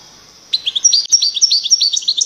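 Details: Loud European goldfinch song from an aviary bird: quick, liquid twittering phrases of high, bouncy notes alternating between two pitch levels, continuous and lively with no other sounds.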